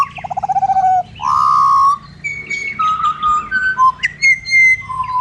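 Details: In Australia, a pied butcherbird opens with a rapid pulsing trill, then gives a long rich whistle followed by several bell-like piped notes at stepped pitches.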